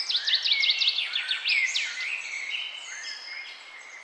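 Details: Morning birdsong: a lively, varied song of rapid whistled trills and sweeping slurred notes, quick and fluid, fading gradually with a softer steady twitter behind it and no other noise.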